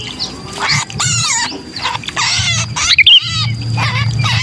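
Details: Sooty-headed bulbul in distress, kutilang kejepit, used to lure other bulbuls: a few harsh, nasal squawks with layered overtones and one clipped burst, set against a low humming rumble.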